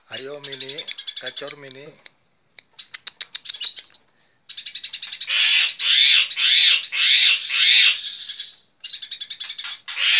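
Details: Sparrow giving fighting chatter (nyerecet), recorded as a tutor recording; loud, dense bursts of harsh, rapid, buzzy chirps in long runs, with short pauses between bursts and a lower squawky rattle at the start.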